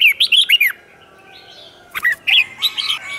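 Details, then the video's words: Competition-style red-whiskered bulbul song meant to provoke other bulbuls. One quick run of four or five sweet, arched whistled notes opens it, followed after a pause by scattered chirps and a softer warble. "Kích Chào Mào Hót Ché |Kích chào mào hót đấu"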